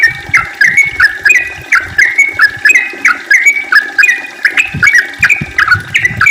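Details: Yellow-vented bulbul in a long, rapid song, played to prompt other bulbuls to sing. Even, bubbling whistled phrases repeat about twice a second without pause, with occasional soft low thumps.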